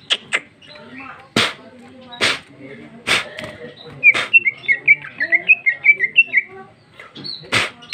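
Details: Ngeplong song of a female greater green leafbird with isian phrases: after several sharp clicks, a lively burst of rapid, twisting whistled notes in a varied chattering series, with more clicks at the close.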